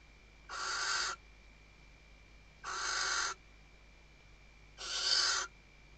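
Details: Female Western barn owl on a nest webcam in the Ebro Delta, Spain, 2023, calling to the male during nest stuffing: three rasping hiss-screeches, each about half a second, spaced roughly every two seconds over a soft electrical hum.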